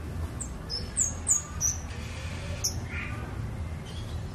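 A scarlet-backed flowerpecker gives quick, very high, thin tsip notes in a loose, irregular series, with a brief buzzy note near the end over a low background rumble.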